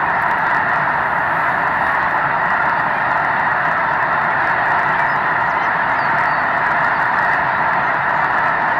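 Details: Snow geese by the hundreds of thousands lifting off before sunrise in March 2018, their massed honks merging into a dense, unbroken, steady wall of sound throughout.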